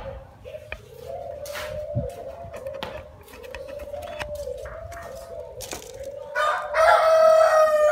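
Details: Low, gently wavering coos from a young spotted dove run in a continuous series with scattered clicks. Near the end a loud rooster crow breaks in.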